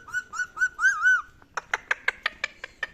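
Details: Pet rose-ringed parakeet talking: a run of wavy, whistled, speech-like notes rising and falling, followed by a steady series of about ten sharp clicks.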